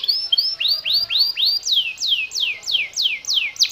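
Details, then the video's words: Yellow canary singing konslet-style song: a steady series of loud whistled notes, first rising then sharply falling, repeated about three times a second, with faint background noise. "Kenari kuning Konslet"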